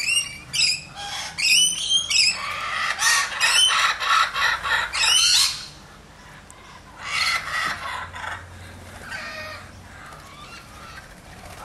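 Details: Lorikeet at play with a toy lorikeet, pouring out a rapid run of shrill, screechy chirps for about five seconds, then a quieter pause and a second, softer burst of chatter.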